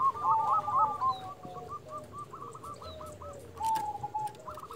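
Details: Local zebra dove lure recording aimed at making other doves respond: quieter rolling coos and a string of short repeated notes over a busy noisy background with faint higher chirps and clicks.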